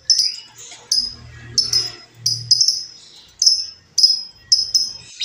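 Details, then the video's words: Wild female lovebird, a lure or training recording, gives steady high, clipped chirps with falling tails about every half second, with faint low rumbling underneath. "suara Lovebird betina liar"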